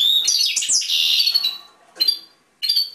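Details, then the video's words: Goldfinch kept in a cage gives a burst of tinkling, slurred high notes with a buzzy middle section, then two short separate chirps after brief pauses. "European Goldfinch Singing in Cage"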